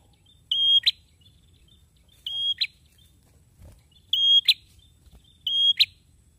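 A male prinia repeats a thin, steady high whistle ending in a sharp snapping note, four phrases about every one and a half seconds, over a low background hum.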